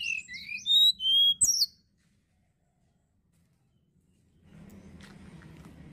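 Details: Quick run of high, twisting whistles from a Sunda blue robin, ending abruptly, followed by quiet and then steady low background noise.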